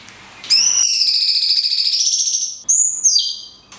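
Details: Cungkok song in the long 'tembakan kunti' style with natural pauses, recorded for training songbirds: a bright, harmonic whistle holds level for about two seconds, then a short higher note dips downward, with a faint low hum behind.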